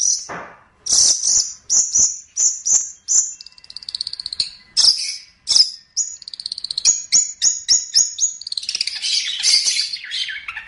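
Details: Long-tailed shrike song used as a training recording for songbirds: very high, sharp chips and short trills in quick series, some notes stuttered, ending in a dense, shrill, twittering jumble.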